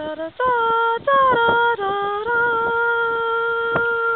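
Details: A woman sings sustained, steady notes indoors, with no animal sound present.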